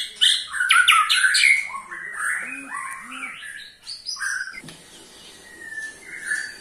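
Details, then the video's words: Kept white-rumped shama (murai batu) in Indonesia with a ketrekan meant to set other shamas singing: loud slurred whistles and chatters at the start, then quieter scattered notes. "KETREKAN SAKTI!! || MURAI BATU MANAPUN PASTI TIDA MAU DIAM IKUT GACOR"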